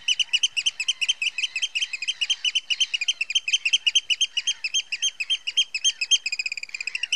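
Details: Alarm piping of a Eurasian oystercatcher at Heybridge Basin in Essex, a loud high 'kleep' rattled out roughly four times a second without a break for the whole stretch.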